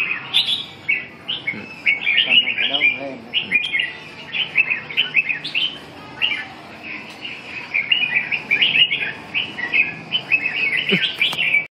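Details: Caged red-whiskered bulbul (Pycnonotus jocosus) singing on the afternoon of 7 June 2012, Vietnam: a lively run of bright, bubbly whistled phrases, short notes tumbling almost without pause; a man speaks faintly in the background.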